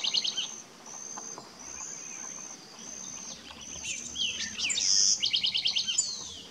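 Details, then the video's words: A house wren (Troglodytes aedon) in Cocachimba, Amazonas, Peru, gives bursts of rapid, high chattering notes and bubbly trills, repeated a few times, over a thin steady insect-like hiss. "Chochín común (House wren)"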